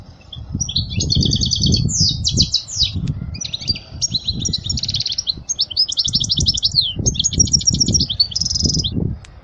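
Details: Teaching song of a European goldfinch for fledglings, a steady stream of sweet, buzzy and tinkling trilled phrases in quick succession, over low thumping noise.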